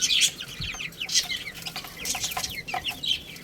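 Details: Baby chickens playing and eating. Many short, high, downward-sliding peeps come in quick overlapping bursts, some louder near the start and around the second mark.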